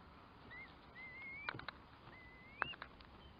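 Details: Curlew calls: a short whistle, then two long upward-sliding whistled notes, with a few sharp clicks or taps between them.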